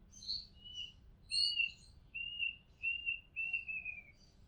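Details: Oriental magpie-robin recorded from a house rooftop, singing a run of clear whistled phrases, some short and rising, others long and level and slightly falling, with brief pauses between, over faint low background hum.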